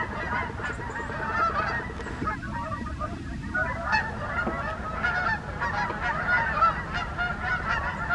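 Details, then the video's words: Wild Canada geese flying over in the morning in the USA, a flock giving dense overlapping honks, nasal and repeated without pause, with a brief lull near the middle before the chorus resumes over low background rumble. "Canada Wild Geese flying in the morning"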